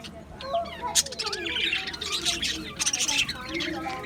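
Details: Australian budgies in an aviary colony, 11 July 2025, produce warbled chatter with looping, wavering whistles and bursts of high chirps, many birds calling at once.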